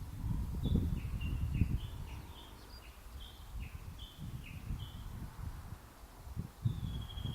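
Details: Japanese bush warbler giving its valley-crossing call (tani-watari): a fast run of short, sharp chirping notes, about a dozen in quick succession, ending in a longer drawn whistle, over low rustling and rumbling background noise.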